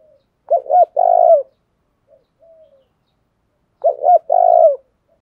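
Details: Two matching low phrases from a spotted dove used as a decoy, each with a pair of short hooted notes and one long rolling coo, spaced about three and a half seconds apart, in the 'thổ đồng' fight-urging style.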